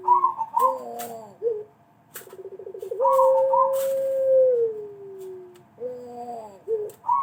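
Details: Pelung collared dove lure call, used to prompt other doves to call: long falling coos near 500 on a steady pitch, a quick pulsed stutter leading into a long drawn-out note, and short bent coos with a faint higher overtone in a small room.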